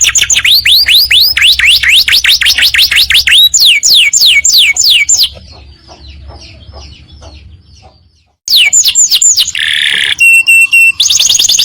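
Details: Yellow canary singing in long, fast 'gacor ngekek panjang' style: rapid runs of bright, high swept notes repeated several times a second, a brief near-silent pause, then more trills ending in flat, electronic-sounding tones.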